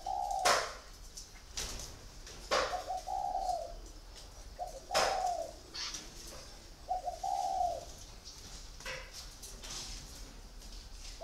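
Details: Caged spotted dove, kept four years in a cage, giving several low hollow coo phrases around two seconds apart, each a short note then a longer steady one, with scattered clicks and knocks between phrases.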